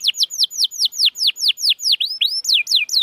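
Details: Canary song meant to rouse a reluctant, silent canary into singing: a rapid series of clear, downward-sweeping whistled notes, roughly four or five per second, ending with a few rising and falling slurs.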